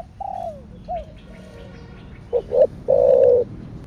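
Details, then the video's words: Softer falling coos give way to a loud spotted dove phrase of "thổ sấm" style. Two short clipped notes precede a long, steady, burred coo. "Cu gáy THỔ ĐẶC THÚC Kích Bổi . ( THỔ SẤM )"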